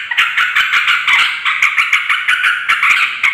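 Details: Agitated yellow-vented bulbul calling noisily as a lure to make other bulbuls respond; an unbroken stream of quick, buzzy, grating notes, steady in loudness throughout.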